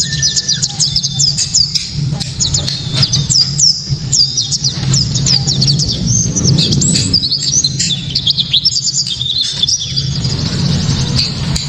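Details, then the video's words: Extended white-eye 'tembakan' song used as a lure for mastering songbirds: continuous fast high twittering and descending whistled flourishes, barely pausing, over a persistent low-pitched hum. "Pleci kaca mata‼️tembakan‼️penuh sensasi‼️ pleci bakalan ❓ pasti langsung ikut Gacor"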